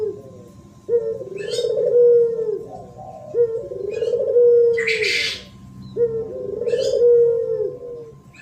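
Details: Spotted dove song used to provoke males and females: low cooing phrases, each a short note then a long falling coo, repeated about every three seconds, with occasional higher chirps from another bird.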